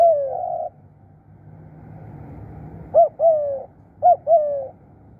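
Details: Spotted dove decoy in Thailand: one flat coo, a pause, then two hooked-and-falling coo pairs about a second apart.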